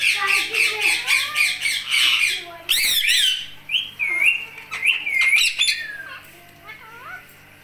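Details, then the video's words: Pet Indian ringneck parakeet known for talking, delivering rapid chattering notes, then loud harsh screeches and short whistled upslurs, the sounds thinning out toward the end. "Talking Talking Talking | Indian Ringneck"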